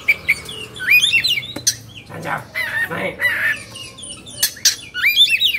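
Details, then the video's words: Kacer, or Oriental magpie-robin, agitated in 'kongslet' mood in Indonesia, gives tangled whistled flourishes between coarse noisy bursts, with a dense warbling phrase at the end. "Suara Kacer Emosi/Kongslet"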